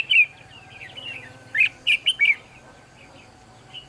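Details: Red-whiskered bulbul at a trapping site, October 2016, singing a run of quick warbled, whistled notes, a short phrase followed by a cluster of three or four sharp chirpy notes, then a faint closing note.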